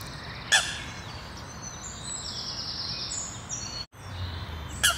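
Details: Young Eurasian coots on their nest at the Sloterplas lake in Amsterdam Nieuw-West, Netherlands; thin, high peeping whistles drift through the recording, broken by two sharp, loud, clipped calls near the start and end, over a steady low rumble.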